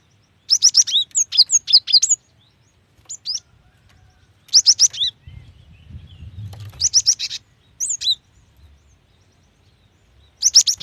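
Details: Female cinereous tit calling to attract a male, played to get wild or young birds singing: repeated fast bursts of high, sharp, slurred chirps, five or six notes each, spaced a few seconds apart.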